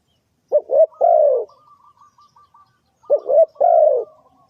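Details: Spotted dove phrases used to draw birds into a trap: two stuttered-then-drawn falling coos about two and a half seconds apart, separated by a faint, even trill of short repeated notes from another bird.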